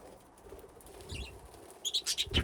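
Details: Budgerigars playing in an aviary with nesting boxes, a flock that grew from two pairs. Soft rustling gives way to a quick burst of bright, high chirps near the end, several short notes in rapid succession.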